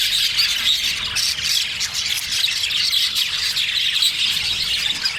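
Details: Male budgerigar, dense high chattering and squawking warble, continuous and busy, with faint steady hum in the background.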